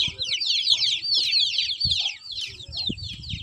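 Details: Chicks calling in distress after their mother hen is picked up, rushing in commotion toward the person holding her; rapid high, descending peeps repeated densely, over two per second, with brief low thumps and handling noise.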